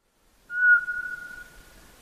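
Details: Eurasian pygmy owl, whose voice is soft, repetitive whistling: a single pure, steady whistled note, loud at onset and slowly fading over about one and a half seconds in a quiet setting.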